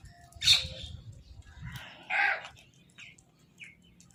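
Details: Crows fighting for food, one giving a food call: two loud, rasping caws about two seconds apart, the second broader and throatier, over soft background chatter and low rumble.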